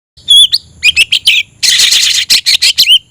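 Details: Oriental magpie-robin (kacer), a kept songbird, singing with tail spread to raise emotion and call a rival to fight: loud clear whistles followed by dense scratchy bursts and rapid chattering notes, high-pitched throughout, with no other sounds.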